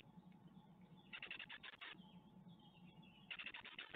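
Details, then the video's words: Great tit family at a nest in Ostwald, 14 May 2021, on the day the fledglings leave, filmed by nest webcam: two bursts of rapid, dense, scratchy chattering pulses over a steady low hum. "Les 4 départs - 14/05/2021 - Les Mésanges Charbonnières d'Ostwald"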